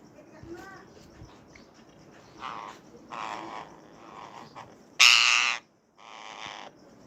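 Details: Indian rose-ringed parakeet (Psittacula krameri) giving a courtship mating call: harsh, raspy screeches in short bursts roughly once a second, one much louder than the rest, over a faint background murmur.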